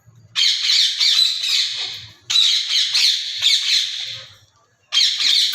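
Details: Alexandrine parakeet uttering loud, raspy, drawn-out screeches, each lasting one to two seconds with brief pauses between, harsh and grating, with almost no background noise.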